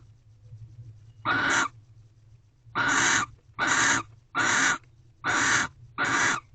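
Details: Pair of barn owls mating inside an owl box on the sixth night, early morning of 24 February 2023: one harsh screech, a pause, then a quicker run of five raspy hissing screeches, over a low background hum.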